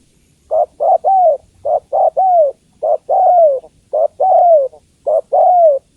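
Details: Female spotted dove calling for the male in faster three-part phrases: two short hoots and a longer curving, falling coo, repeated about five times in six seconds against a quiet background.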